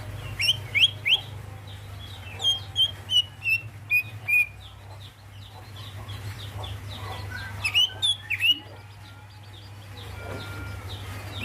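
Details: Female greater green leafbird calling the male: a lively run of short, sharp whistled notes, some rising and some falling, in quick bursts with pauses, over a steady low hum and faint background chirps.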